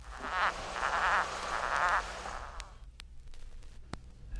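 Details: Atlantic Puffin, in a 1961 field-guide recording of eastern and central North American birds, giving low, growling, croak-like groans in a pulsing run of about two and a half seconds, followed by faint hiss and a few clicks.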